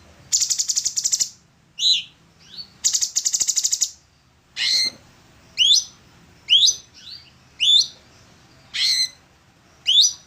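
An orange-bellied leafbird sings: two bursts of fast buzzy chatter, then a string of sharp, high whistled notes, one about every second.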